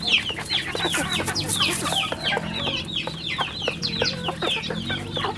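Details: A farm brood of chicks peeps insistently, with many sharp falling chirps overlapping nonstop and soft low clucking beneath.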